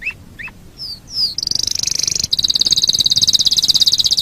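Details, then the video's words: Canary song for tutoring other birds: a few upslurred chips and downslurred whistles lead into a long, very fast high trill that continues steadily to the end. "Masteran Suara Kenari"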